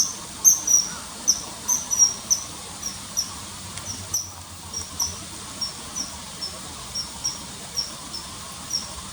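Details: Common kingfisher by a river, early September 2020: a long run of sharp, piercing whistled notes, quicker and louder at the start, spaced more widely later, with faint hiss behind.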